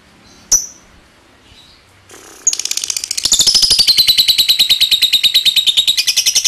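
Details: Lovebird starting with a single sharp chirp, then after a pause launching into a long ngekek trill, used to lure other lovebirds: rapid, shrill, evenly pulsed chatter that dips slightly in pitch.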